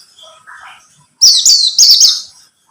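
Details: Buxtomi white-eye song used as a lure to make other white-eyes sing. One short, loud, high twittering phrase of two linked notes follows faint lower chirps.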